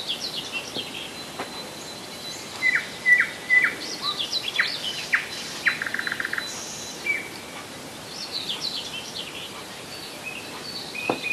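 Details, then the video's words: Nightingale singing in July 2011 at Rassudovo, about 40 km from Moscow: varied clear whistled notes and short phrases, including a fast rattling run of identical repeated notes, against a steady hiss of outdoor background. "Соловьиная песня / Nightingale song"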